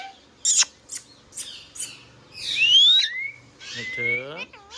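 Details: Indian ringneck parrot kept as a pet: short high chirps and squeaks, then a long rising whistle, a falling-rising whistled slur and wavering speech-like harmonics, indoors.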